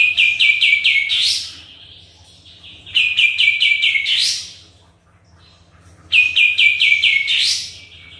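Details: Sooty-headed bulbul singing actively, offered as a lure to prompt other birds to answer: three bursts, each a quick run of five or six bright, slightly falling notes ending in a sharp upward sweep, a few seconds apart, with a steady low hum.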